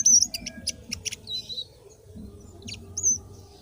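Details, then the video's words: Indigo flycatcher song: a burst of sharp high chips and a wavering whistle open the phrase, followed by sparser thin notes and a final high whistle, over a low hum. "suara burung sikatan ninon gacor"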